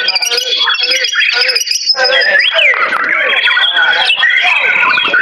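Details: White-rumped shama in a singing competition, the winner among 300 shamas on 10 February 2019; a dense run of varied whistles, slurred rising and falling notes and harsh chatters with several birds overlapping and voices in the background.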